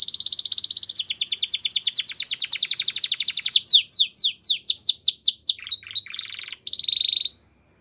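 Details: A Belgian canary sings a rapid trill lasting several seconds, shifts to quick downward-sweeping whistles, adds a buzzy phrase, then falls silent.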